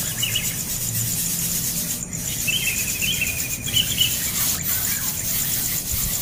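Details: Fledgling bird being attacked by its parent for demanding more food after already being fed. It gives a single harsh, wavering squeal that breaks into a rattling trail, against constant high-pitched hiss and rough background noise.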